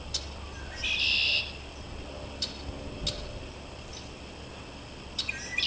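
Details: Red-winged blackbirds perched in a backyard maple tree, calling while sitting around: one harsh, buzzy burst lasting about half a second near the first second, with scattered sharp clicks and a low steady background hum.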